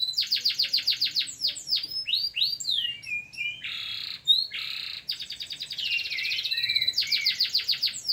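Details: Local canary performing tutor song: a fast rhythmic trill, swooping notes, harsh buzzy bursts, warbled sliding phrases, and a return to the rapid trill.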